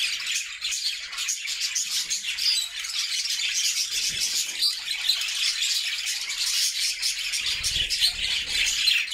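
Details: Pet budgerigars, a happy flock in a homemade cage, sing in a steady stream of high chirps, warbles and rasping notes, with a few soft low knocks.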